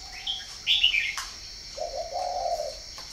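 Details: Northern Vietnamese spotted dove at a breeding farm in Ba Vì. A soft, drawn-out low coo rises and holds near the end, after a burst of high twittering chirps from another bird.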